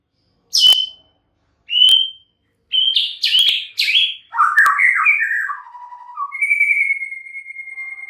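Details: White-rumped shama song opening with two crisp rising notes, then a rapid, scratchy jumble of phrases, a lower warble and a long, sustained clear whistle.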